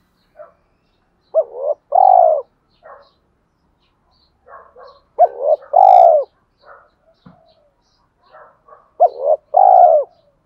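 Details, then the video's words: Spotted dove decoy singing in the 'giọng thổ' style to draw wild males in to fight: three full low cooing phrases about every four seconds, each a short coo followed by a longer rolling crooo, with faint softer notes between. "cu gáy giọng thổ pha kích bổi trống nhanh gáy"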